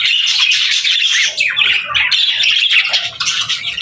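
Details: Budgerigars chirping together in a dense, continuous chatter of squawky, scratchy notes and quick twitters, overlapping without pause across the whole stretch.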